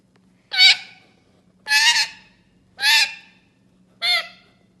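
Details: Pet parrot uttering four loud, harsh, drawn-out nasal squawks, spaced a little over a second apart, each fading quickly; quiet steady hum behind.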